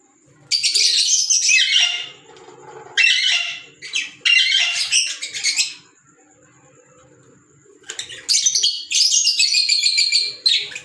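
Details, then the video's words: Green Fischer's lovebirds kept as pets giving long spells of loud, shrill, grating chatter, separated by a quiet pause in the middle, with a soft low hum beneath. "Fisher Love Birds Sound | African Lovebirds | Green Fisher Love birds Voice"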